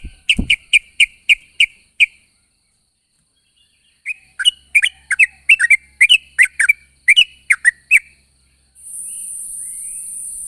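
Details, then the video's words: Morning calls of a sooty-headed bulbul summoning companions: two bursts of crisp, evenly spaced whistled chirps, about eight notes each, separated by silence, with a thump at the start and a hiss at the end. "suara burung trucuk memanggil kawan di pagi hari"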